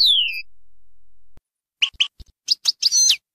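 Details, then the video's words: European goldfinch in the Baynam Ghazarat song style, used to teach fledglings. A long descending whistle is followed by quiet, then several short, separate high chirps, ending in a brief burst of twittering. "غناء حسون باينام غازرات لتعليم الفراخ"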